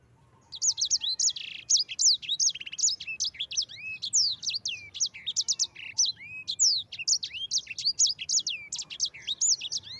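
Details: Yellow-fronted canary delivering a long ngerol rolling song as a training master: after a short quiet start, dense high whistled notes, downward sweeps and occasional buzzy bursts pour out nonstop for nearly ten seconds.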